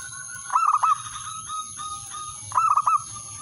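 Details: Zebra dove male, calling a rival and meant as a lure, gives two rolling coo bouts two seconds apart, each a rapid burst of three or four stuttering notes followed by quieter sustained tones; steady high electrical whine throughout.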